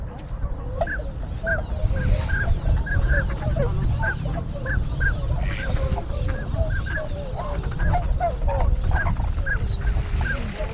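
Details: Many wintering tundra swans at Sugo-swamp, Bando, Ibaraki, Japan, recorded 6 January 2020 on a GoPro HERO7: a dense chorus of short honking calls repeating over a steady low rumble of wind and water.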